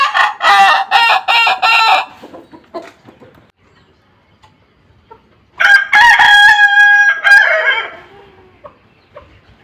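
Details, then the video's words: Kokok Balenggek rooster crowing while out being sunned: a series of choppy, stepped crow notes, a quiet gap, then a longer, loud, harmonic crow that trails off. "Keseruan jemur ayam kukuak balenggek"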